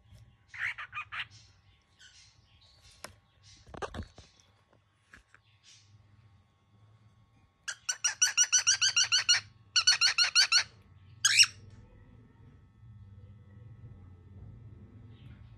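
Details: A very angry baby cockatiel indoors, giving a fast series of harsh, rasping squawks repeated about three per second in two bursts, with a single sharp screech after them and a low indoor hum underneath.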